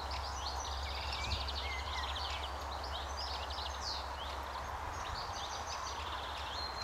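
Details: Great Spotted Woodpecker juvenile begging while fed at a nest hole near a gatehouse, RSPB The Lodge, Sandy, May 2011, evening; high, fast, buzzy chatter in repeated bursts, roughly three per second, over a low steady drone.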